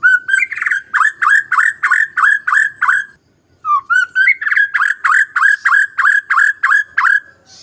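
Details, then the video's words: White-rumped shama song used as a lure to trigger singing in a reluctant bird: rapid series of loud whistled notes around a steady pitch, about three per second, with a brief pause mid-phrase before the series resumes. "Pancingan MURAI BATU Bahan Malas Bunyi Paling Cepat direspon"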